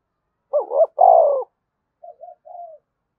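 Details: Single spotted dove phrase, played to spur other doves into cooing: a stuttering two-part note, then a drawn-out, rolling, falling coo, followed by three soft short hums.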